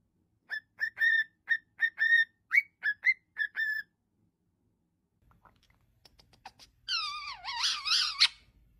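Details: Pet cockatiel kept indoors, whistling a series of short, clear, level notes in a fairly even rhythm, then a pause with faint clicks, followed by a louder, wavering whistle that dips and rises.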